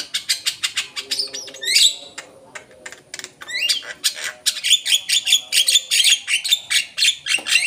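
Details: A Javan myna used as a lure (pancingan) gives rapid, harsh, chattering notes several times a second, broken by a few rasping, rising squawks.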